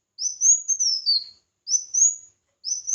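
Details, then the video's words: A red-whiskered bulbul's competitive song for voice training: one long, high warbled phrase sliding downward, followed by two shorter rising whistles, with no background noise. "Chào Mào Hót Đấu"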